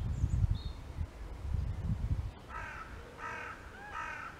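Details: One of seven common ravens flying over coastal dunes from the polder northward toward woods in the south, passing close overhead: three hoarse, ringing calls about half a second apart after a low rumble of wind; a nearer carrion crow also calls.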